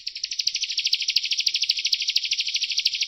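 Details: Ciblek, the bar-winged prinia, delivering a continuous rapid trill of high, slightly buzzy notes that swell a little in loudness, quiet background.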